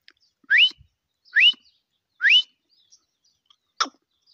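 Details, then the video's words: Grey francolin calling: three loud, whistled notes that sweep sharply upward, given about once every second, followed by a short harsh burst. The background is otherwise quiet. "Teetar awaz | teetar sounds"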